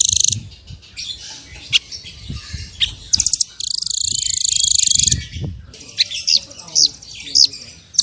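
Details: High-pitched small bird singing a masteran 'tembakan' variation: sharp chirps and quick stutters, then a sustained shrill buzzing trill of over a second, followed by scattered whistled notes and clicks.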